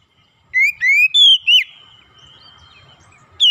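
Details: Oriental magpie-robin (kacer) full-content song with calling tones: after a short silence, four loud rising and slurred whistles in quick succession, a lingering faint high tone, then one more sharp whistle.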